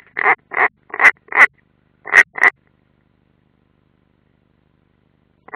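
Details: European roller, unringed, at its nest in the Ādaži military training area, Latvia, 30 June 2016: six gravelly rasping croaks in quick pairs, then a long silence.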